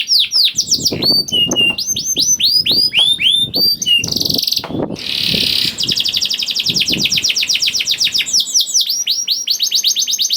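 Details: Canary song used to prompt reluctant canaries to start singing: fast, high, looping phrases of sweeping whistled notes, broken by buzzy rattling rolls and quick chattering trills.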